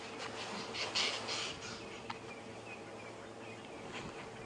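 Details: A very angry Lilac-breasted Roller gives harsh, rasping bursts of agitated calling on a quiet, windy morning as a front blows in, during a safari drive.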